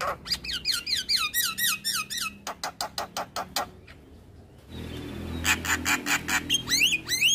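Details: Javan myna in energetic full-fill master song, meant for daily playback to train other birds: bursts of squeaky, looping harmonic notes, then a fast run of dry clicks and a noisy passage of sharp high notes.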